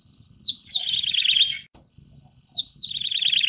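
Yellow-bellied Prinia giving two short phrases, each a sharp opening note and then a quick, wavering, slightly falling run, over a steady high insect drone.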